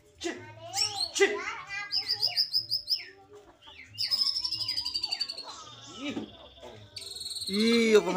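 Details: White-rumped shama from Cilacap singing a long, varied phrase: rapid pulsed trills, sustained high whistles, sweeping slurs and lower arched notes, changing style every second or two, in a quiet setting with faint hum.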